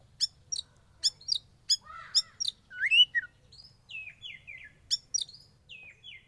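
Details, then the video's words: Young wild-caught oriental magpie-robin, kept in captivity during sauna therapy, sings sharp high ticks and slurred whistled notes, some sweeping down, others rising into buzzy warbles, delivered in quick uneven bursts. "Terapi Sauna Kacer Muda Hutan"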